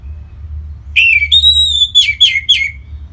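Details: Song of an orange-headed thrush kept in Singaraja, northern Bali, used to coax other birds to sing; after a pause, a clear drawn-out whistle and then four rapid downward-slurring whistled notes.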